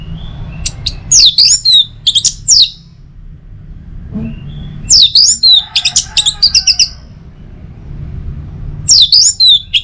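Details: Orange-headed thrush song used as a morning prompt for other birds to sing. Repeated bursts of fast, twisting whistles and sharp chips come every few seconds, with softer warbling between.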